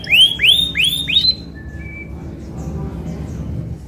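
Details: An Isabel canary gives four quick, bright upslurred whistles, about three a second, then one thin steady note before falling quiet over a low background hum.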